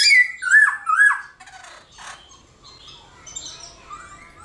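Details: Black-throated laughingthrush singing in the morning, meant to spur other birds to sing: a few loud, bold descending whistles in the first second, then fainter scattered calls and quiet.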